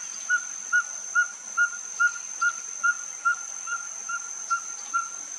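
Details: Ferruginous pygmy-owl perched and singing at Finca La Gracia, Escuintla, Guatemala, October 2019: a steady series of short, even whistled toots, about two per second, over a constant high insect drone.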